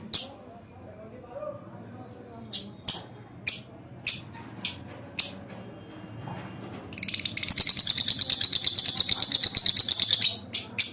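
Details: Pet lovebird singing and chirping: sharp high chirps repeated about twice a second, then a rapid buzzy chattering trill lasting about three seconds, followed by a few more single chirps.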